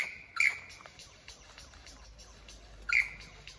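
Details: Lyrebirds in Dandenong, Australia: two loud, sharp, ringing bursts about two and a half seconds apart, with faint scattered chirps between them.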